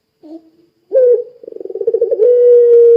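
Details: Puter pelung dove in full voice, used to draw other doves into calling: a short soft note, then a deep coo breaking into rapid pulsing throbs before settling into a long, even, sustained hoot.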